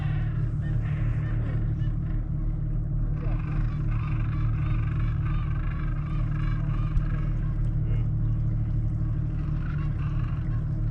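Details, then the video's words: Penguins in Antarctica heard from a sailing trip: harsh, braying harmonic calls rising and falling in overlapping bursts, partly buried under a constant low rumble of engine or wind. "Sound of penguins"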